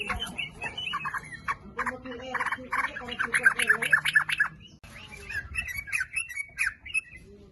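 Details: Sooty-headed bulbul song used as a lure to make other bulbuls sing: chattering, bubbly phrases of mid-pitched notes, with a quick burst of bright repeated notes in the middle and a brief break before the song resumes.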